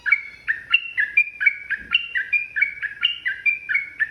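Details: Yellow-vented bulbul singing a long, rapid ropel phrase intended to make rival birds emotional; crisp two-part whistled notes, the upper note held briefly, repeat about every quarter to half second.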